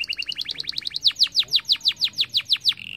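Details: Canaries in song: a quick two-pitched trill accelerates into loud, evenly spaced downward-swooping notes, about six per second, ending on a brief steady tone.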